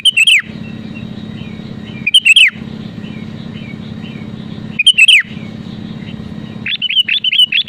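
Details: Sooty-headed bulbul singing in a lively way, used to pressure rivals into singing: short bubbly whistled phrases rising and falling, repeated about every two and a half seconds, ending in a quick run of chirps, over a steady low hum.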